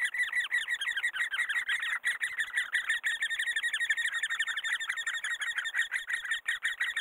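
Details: Great spotted woodpeckers while rearing young: rough, buzzy calls repeated quickly and steadily, close to three per second, forming an unbroken chattering chorus over several seconds.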